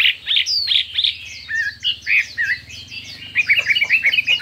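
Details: Chinese hwamei singing in a contest with many voices: quick, bright whistled notes and sliding phrases, ending in a rapid run of staccato chirps over a low mechanical hum.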